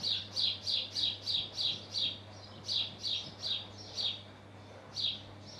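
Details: House sparrow male on a roof by his nest in Hull, UK, giving a steady run of sharp chirps about three per second, a short pause, then more spaced chirps, over a constant low hum.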